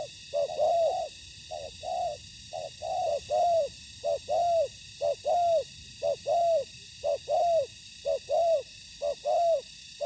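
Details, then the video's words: Seasoned decoy spotted dove in ground trapping, met by a combative wild dove. Long series of evenly spaced coos, each slurred and falling, repeated about once a second for ten seconds. "Bẫy cu gáy mồi đất : Tuyển tập Mồi cùi bắp gặp Bổi trận của năm"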